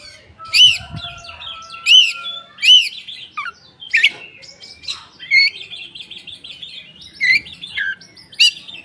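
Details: Oriental magpie-robin with tail opened, singing as a lure for raw, untrained birds. Three loud arched whistles repeat about every second, then give way to varied trills, sliding whistles and a long steady tone.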